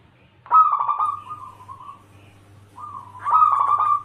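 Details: A lively local zebra dove used as a lure to make other doves respond: two loud, rolling, burry cooing phrases that waver and fade, separated by a soft pause, with a low hum in the background.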